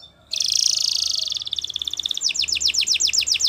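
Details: Belgian canary song used to teach young canaries: a dense bright trill in rapid pulses, shifting to a series of quick downward-sweeping whistled notes repeated about four per second.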